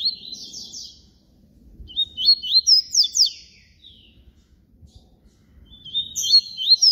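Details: Papa-capim baiano, or yellow-bellied seedeater, in flute song (canto flauta): three phrases of rapid high whistled slurs, the middle one longest and loudest, with quiet gaps between.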